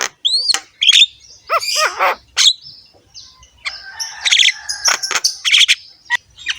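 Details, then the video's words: Javan myna singing, a rough-voiced master recording used to provoke other mynas to sing: looping whistles, harsh rasps and buzzy notes, with a noisy grating passage near the end. "BURUNG JALAK KEBO GACOR SUARA KASAR, MANGGUT-MANGGUT FULL ISIAN MEWAH"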